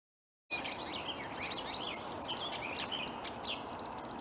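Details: A marsh warbler sings from reeds on an early May morning in 2020 at Upplands Väsby, Sweden: a fast, varied stream of high chirps, trills and short whistled notes with hardly a pause, over a steady background hiss.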